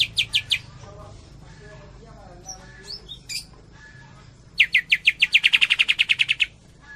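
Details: Greater green leafbird, tembakan style from Cililin: a few loud chips, a quiet stretch of soft twitters and whistles, then a long fast volley of some eighteen sharp repeated notes.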